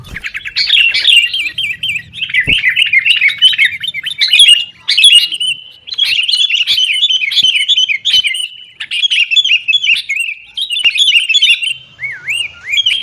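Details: Sooty-headed bulbul singing busily as a lure to make kept bulbuls sing; long runs of quick warbling notes in several bursts, ending with a clear, looping whistled note.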